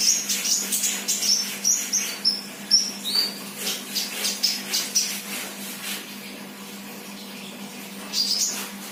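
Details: Sunbird, an untrained 'bahan' bird in active 'gacor' song: a quick series of tiny high-pitched chips, about two a second, fading after five seconds, then one last high note, with a constant low hum behind.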